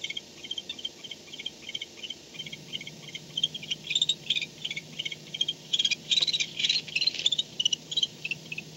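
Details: Barn owl returning to the nest at 4:38 am on 2-10-16; evenly spaced high paired ticks that build into denser, squeaky twittering bursts in the second half, over a faint hum.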